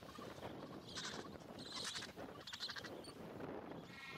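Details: Gentoo penguins, Carcass Island, Falkland Islands, 21 January 2019: a run of raspy, pulsed braying bursts about once a second, harsh and bleating in tone, over windy background noise.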